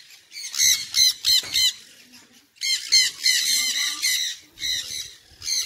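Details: Harsh, piercing screeches from a Sun conure, delivered in rapid runs of repeated shrill notes, a first cluster, a short pause, then a longer unbroken string of loud calls.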